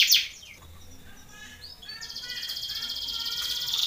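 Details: Belgian canary singing a contest training song: sharp opening chirps and faint sliding whistles, then a bright, even high trill building steadily louder.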